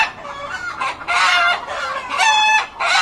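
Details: Lots of chickens calling loudly inside a coop: dense, harsh clucking and cackling, several birds at once, with brief dips between bursts.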